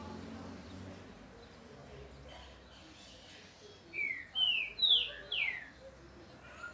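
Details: Seedeater singing in the grego de Minas style: after quiet background, four clear descending slurred whistles come in quick succession near the end.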